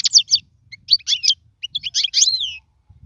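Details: European goldfinch kept as a singing bird for tutoring young birds: short bursts of high twittering chirps and slurred notes, ending in a drawn descending whistle.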